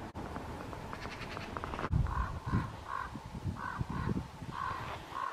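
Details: Common ravens calling in a forest on a sunny, frosty March morning at minus 26, while jays, magpies and hooded crows at a feeder are alarmed by their arrival; hoarse, nasal calls repeated about twice a second with low rumbling background.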